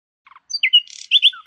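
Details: Short burst of nightingale song: a few soft low clicks, then sharp high whistles and bright slurred notes with a brief rasp between them.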